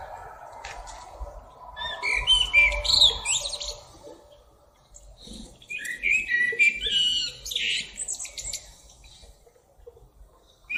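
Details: Singing blackbird giving two bursts of warbled whistles mixed with squeaky, twittering notes and short high flourishes, separated by quiet gaps. A faint background murmur is heard throughout.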